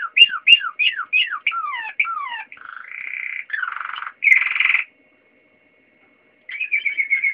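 A Waterslager canary sings a rapid run of falling whistled notes, then steady rolling and bubbling trills, a brief pause, and another liquid rolling phrase.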